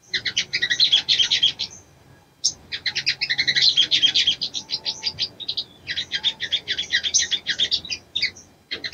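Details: Female little spiderhunter calling a male, pouring out long series of rapid high chips in rattling phrases, with a sharp click and brief pause between phrases.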